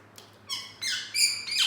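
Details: Caged green ringneck parrot giving a quick series of three or four clear, harmonic chirps that rise and fall, over soft room hum.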